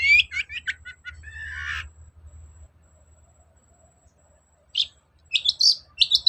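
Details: Long-tailed shrike singing, used as a lure to provoke a reluctant bird into answering and singing: a rapid run of harsh, buzzy chattering notes for two seconds, a pause, then short scratchy bursts; low hum underneath.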